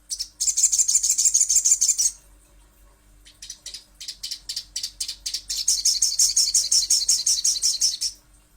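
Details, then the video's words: Little spiderhunter lure recording: a quick run of high chips, a pause, scattered single notes, then a longer, slightly louder rapid chip series lasting nearly three seconds. "Pancingan Sogon ~ Sogok Ontong Pasti Bunyi"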